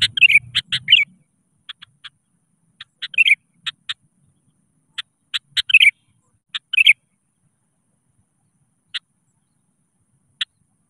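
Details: Sooty-headed bulbul voicing its rival-calling song, used to coax other bulbuls to sing; short warbled bursts mixed with spaced sharp clicks that thin out toward the end, and a low rumble at the start.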